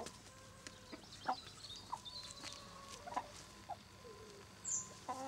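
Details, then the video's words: Brahma chicken, a domestic breed, giving short scattered clucks and brief tonal notes at irregular intervals. Other faint poultry calls sit in the background, and one higher chirp is heard near the end. "Poule de race Brahma"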